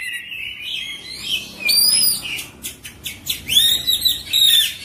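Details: Oriental magpie-robin's full isian, ngerol song: a scratchy warble, then very high thin whistles, rapid clicking rattles and a ringing whistled trill, on a quiet background.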